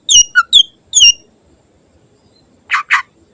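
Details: Greater green leafbird song used as a training recording for other caged birds: a quick run of sharp, high whistled and slurred notes, then a pause and two short buzzy rasping bursts.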